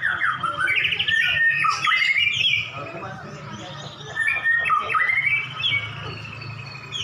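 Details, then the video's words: Caged white-rumped shama answering a rival in a staged duel of two prize birds; loud, varied whistles and chattering phrases with steep up-and-down slurs, in bursts separated by brief pauses, over a steady low hum. "Murai Batu Kamu Langsung Nyaut‼️Duel Murai Batu Jawara"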